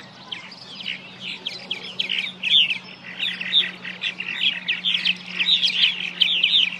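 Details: Purple martins (Progne subis) singing at colony nest boxes at Stony Brook Wildlife Sanctuary, Norfolk, Massachusetts: a continuous, rich gurgling chatter of liquid chirps and croaky warbles, several birds overlapping, over a faint low steady hum.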